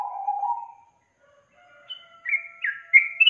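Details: Yellow-vented bulbul lure song for prompting a quiet young bird to sing: a low mellow warble, a short pause, then a rising series of bright, liquid whistled notes.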